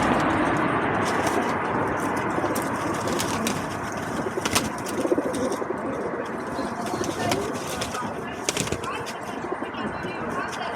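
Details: Feral pigeons feeding and fighting at a balcony bird table, filmed with an Insta360 Go 2 camera: low, soft cooing half-buried in steady broadband hiss, broken by sharp wing-flap bursts and scuffles.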